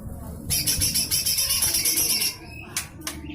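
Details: Harsh 'besetan kasar' burst of a lesser green leafbird, a song used to tutor magpie-robins and shamas: nearly two seconds of rapid, grating, evenly pulsed high chatter, followed by two sharp clicks.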